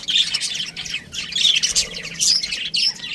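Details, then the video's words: Budgies chirping in a lively stream of high squeaky warbles and sharp chirps, the notes clustered in loud bursts roughly every half second. "budgie chirping sounds | parakeet sounds"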